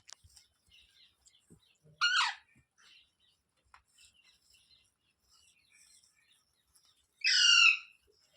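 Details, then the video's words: Parrot, locally called tota or mitthu, giving two loud harsh squawks about five seconds apart, each a short burst of stacked rough harmonics, with faint soft chatter and clicks between them. "Parrot sound videos | Parrot voice | Tote Ki Awaaz | Mitthu Ki Awaaz"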